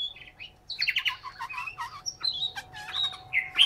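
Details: Caged Chinese hwamei in Hanoi, Vietnam, singing a rapid, varied stream of sharp chirps, trills and clear whistled slurs, bursts crowding together with brief pauses, over a faint steady electrical hum.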